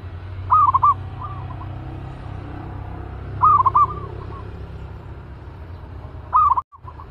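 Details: An aggressive caged zebra dove, ready for decoy training, repeats its rapid staccato coo phrase three times about three seconds apart, each loud burst followed by softer answering coos, over low background rumble.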